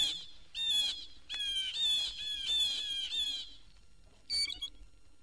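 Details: A Blue Jay in Florida (1969 record) gives a run of harsh, squawking calls, about six in quick succession, then a brief pause and a final shorter call.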